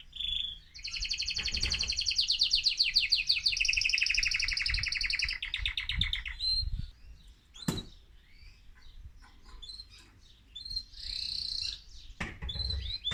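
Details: Excited male mosaic canary song to stimulate other birds: several seconds of loud rolling trills, then scattered chirps and short notes, with a few sharp clicks or knocks in the background.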